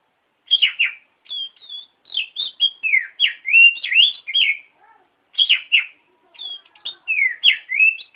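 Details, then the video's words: Oriental magpie-robin singing a lesson song for other birds: quick sequences of bright whistles and downward-sweeping notes, delivered in two dense bursts with a short gap between. "Masteran Burung Kacer Di Jamin Top Cerr !!!!"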